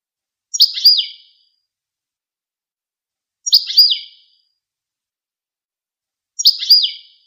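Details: Goldfinch song: three identical short, high, chirpy phrases with a quick downward slur, spaced about three seconds apart in otherwise silent surroundings.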